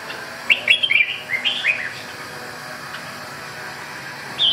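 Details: Red-whiskered bulbul delivering one rapid run of bright, chirpy whistled notes lasting just over a second, then near silence with steady hum and a single short note at the end.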